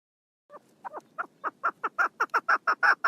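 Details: A female chukar partridge, 1 June 2022, starts with low, hesitant clucks that quickly gather pace and loudness into a tight, chattering chuckle, all within three seconds.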